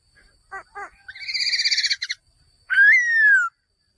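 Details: Male laughingthrush: two short stuttering notes, then a rapid harsh rattling chatter, and finally a long clear whistle rising sharply and sliding slowly downward.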